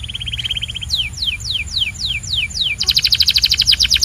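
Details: A Belgian canary sings a quick level trill, then a slower series of six steeply falling whistled slurs, and ends in a rapid, ringing, pulsed trill.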